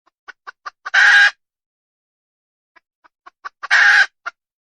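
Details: Wild junglefowl hen calling twice. Each time, a few quickening clucks build into a loud, harsh squawk about a third of a second long, followed by one more cluck. A quiet pause of about a second and a half separates the two bouts.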